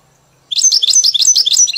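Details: European goldfinch in a cage, its song tutored on a hybrid in the "Mili" style, bursts into a rapid, high, sparkling twitter of slurred notes with brief whistled tones mixed in.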